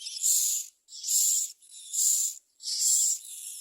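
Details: Common myna chicks in the nest give harsh, hissing screeches, four raspy half-second bursts in a steady rhythm with brief pauses, begging as they get too little food.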